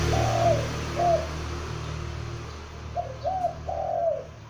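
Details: Juvenile spotted dove calling, kept to lure others: soft low coos, a long note and a shorter one, then after a pause a run of three coos, over a steady low hum.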